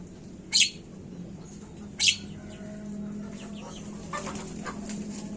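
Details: Javan myna (jalak kebo) used as a lure recording to prompt birds to sound off quickly: two harsh, hissing, broadband bursts about 1.5 seconds apart, then faint chatter over a steady low hum.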